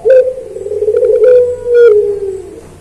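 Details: Collared dove (puter) in pelung song, recorded as a master for training kept birds: a sustained low coo held for over two seconds, steady then slowly dropping, with light clicking noises.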